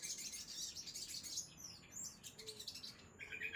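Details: Crimson sunbird producing a quick, high twittering song with thin swooping notes, and a soft, lower whistle sounding briefly.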